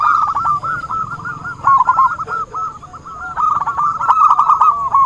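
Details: Lure call of the zebra dove, used for trapping: rapid, jumbled series of rolling coos, dipping quieter midway before building again, with a faint steady high tone behind.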